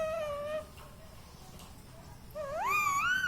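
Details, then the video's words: Talking pet ringneck parrot that says mummy, papa and radhe radhe. A steady, clear whistled tone is followed by a pause. A louder rising, wavering whistle with a nasal edge comes after, over faint room noise. "parrot talking mithu"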